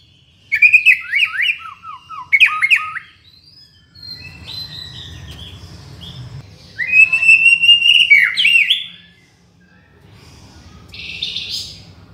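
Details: Murai batu, white-rumped shama, tutor and lure song: bursts of quick down-slurred whistled notes in rhythmic runs, sustained whistles, quieter gaps, and a final harsh buzzy phrase.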